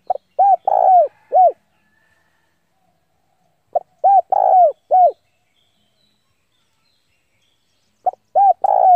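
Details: Decoy spotted dove cooing to lure rivals in to fight; three phrases spaced about four seconds apart, each a short note followed by rounded coos and one long drawn coo, with no other sounds.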